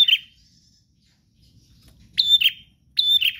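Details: Bar-winged prinia, persistent gacor singing: a short buzzy note, then about two seconds of quiet with faint low rumble, then two loud phrases of a sharp high note slipping into a quick pulsed buzz.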